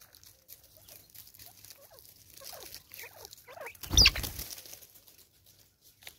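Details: Angry female Natal spurfowl in South Africa in 2024, giving a run of harsh, raucous, rapidly falling notes, each short and strongly harmonic, clustered together, then a sudden loud broadband burst, with quiet background.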